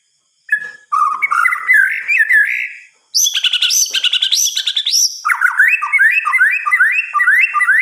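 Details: White-rumped shama at night delivering a rich, rapid song: mellow rising whistles, then a very high, buzzy, chattering passage, ending in quick repeated looping notes.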